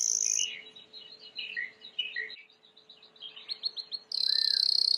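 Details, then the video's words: Timbrado canary song for training, softer: a high ringing start, scattered warbled notes and a quick rising twitter, then a loud sustained high metallic trill. "Chant de Canari timbrado / the wonderful sounds of canary bird chirping / canario timbrado cantando"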